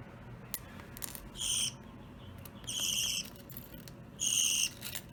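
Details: Baby pet budgerigars playing with a chain; three raspy, buzzy chirp bursts spaced about one and a half seconds apart, with faint clicks and taps between them.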